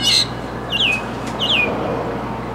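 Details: Mockingbird delivering a loud harsh opening note followed by two clear slurred whistles that sweep downward, each separate, over a low steady hum.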